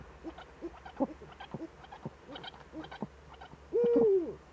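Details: Eurasian eagle-owl in the Eifel, 11 March 2013, evening, both birds returned: a busy stretch of soft clicks and knocks, ending in one loud arched harmonic call that falls away at its end.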